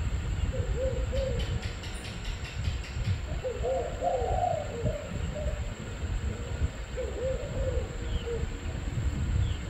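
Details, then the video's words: A spotted dove gives soft, low, rolling coos in three phrases, about one every three seconds, over a steady low rumble and a few faint clicks. "Cu gáy"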